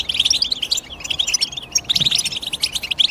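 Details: Quick, high, jingling chirps from a European goldfinch, delivered in dense bursts with a short dip in the middle before the chatter resumes.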